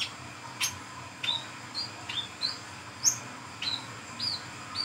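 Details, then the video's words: Brown-throated sunbird, forest at night, lively 'ngriwik ngeplong' song used as bait for catching birds: a quick series of thin, high, downward-slurred whistles roughly every half second, one shriller note midway, soft background hum. "SUARA BURUNG WICEH KOLIBRI KELAPA GACOR NGRIWIK NGEPLONG"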